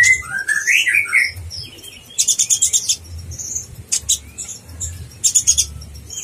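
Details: Konin blorok in full song to provoke other konin, a contest training master: opens with a wavering warbled whistle, then sharp stuttering high trills and scattered thin chips.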